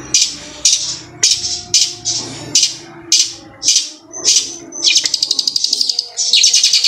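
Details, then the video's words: Hill prinia, a kept songbird: loud, very high, sharp chipping phrases burst out about every half second, then break into a fast, rattling rolled trill near the end. "Cendet suara ciblek gunung kristal roll speed tembak panjang"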